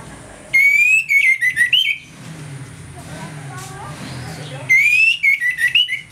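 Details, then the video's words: Morning song of an Orange-headed thrush, played as a lure to rouse aggression: two bursts of loud rising whistles followed by rapid descending slurred notes, separated by a quieter gap with faint background chirps. "ANIS MERAH NGEPLONG PAGI, PANCINGAN ANIS MERAH AGAR CEPAT EMOSI"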